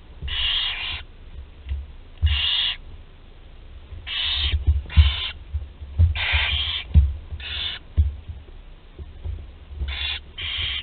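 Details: Barn owl chicks at a nest in Théding, France, on 20 July 2020, one 13 days old and able to swallow prey whole; harsh hissing screeches of about half a second, repeated irregularly, over low rumbling and knocking.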